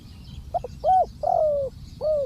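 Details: Calling decoy spotted dove at close range: a double clipped note, a full round coo, a long level coo that slowly sinks, then a final rounded coo, against quiet low-frequency background noise.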